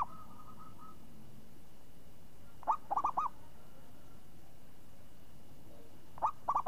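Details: Zebra dove, a champion singer known for its crisp, swinging 'renyah ngayun' voice, delivering two phrases of rapid rolling coos, each led by a separate first note. A faint steady hum comes earlier, and low background noise persists throughout.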